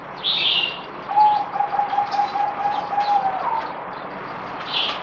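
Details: Zebra dove (merbok) on the fourth day of deworming, recorded 17 April 2020, gives one rapid staccato cooing phrase of evenly spaced mid-pitched notes lasting about two seconds, with higher chirps from other birds nearby.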